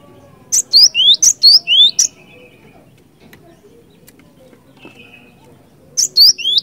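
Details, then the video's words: Cinereous tit used as a lure, singing bursts of rising whistled slurs mixed with sharp high ticks, a pause with faint hum and a thin distant tone, then the phrase resumes. "Suara ASLI Glatik Batu Gacor Ngeeerool Ngeplong"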